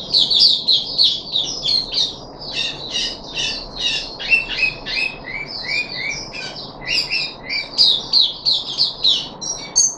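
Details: Puff-backed bulbul kept in a cage, recorded 14 July 2021 on the third day of deworming, delivers rapid bursts of bright chirping and slurred whistles, about three notes a second, in a steady, chattering flow.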